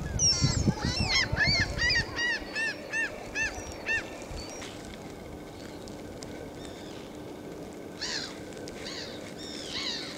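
Barnacle geese give a rapid run of sharp, high yapping barks, about two a second, then scattered calls from the flock, with a low wind rumble at first.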